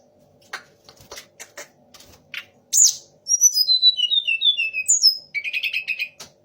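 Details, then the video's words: Sunda laughingthrush that copies magpie-robin, shama and orange-headed thrush. Soft ticking clicks lead into a loud cascade of descending whistled notes, ending in a quick stuttering trill. "TLEDEKAN GUNUNG DENGAN TIGA RASA BURUNG"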